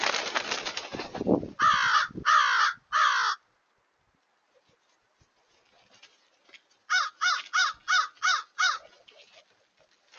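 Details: Crows in large numbers, recorded on 31 January 2023: a noisy burst at the start, then a run of three loud harsh caws, a quiet gap, and a later series of six harsh caws in quick succession.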